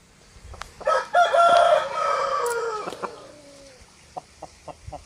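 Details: Loud, close rooster crow at a chicken farm where roosters and hens are making noise: a multi-part harmonic crow of about two seconds that trails off, then five short evenly spaced clucks.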